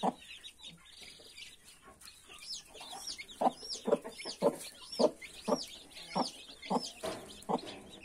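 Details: Hen guarding her 31 just-hatched chicks, clucking rapidly, nearly twice a second after a quiet start, while the chicks give thin, rising-and-falling peeps overhead.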